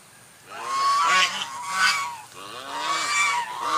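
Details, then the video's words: White swan giving a near-continuous string of grating, trumpet-like honks that rise and fall in loudness over several seconds. "SUARA ANGSA PUTIH"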